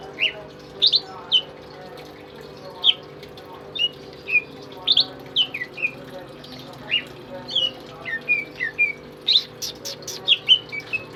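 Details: Tame caged pet greater green leafbird singing actively, kept as a master bird for tutoring other songbirds: scattered bright whistled notes, some slurred downward, some sharp upslurs, at irregular intervals with faint room hum.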